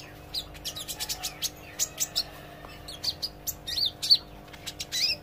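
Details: Olive-backed sunbird learning to sing: lively high chirps and sharp ticks in irregular quick bursts, some notes sweeping down, louder toward the end, over a faint low hum.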